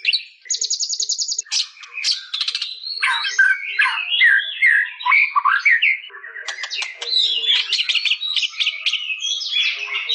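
A White-rumped shama sings a rich, unbroken stream of high, varied phrases: a buzzy trill, then tumbling whistles, sweeping notes and rapid chattering rattles.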